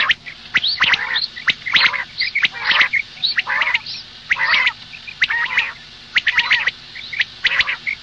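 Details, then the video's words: Female common quail, morning: fast harsh nasal bursts with harmonic layers keep coming about once a second, mixed with thin high chips and sharp clicks. "Madi batair ki awaz suba ke liye مادی بٹیر کی آواز"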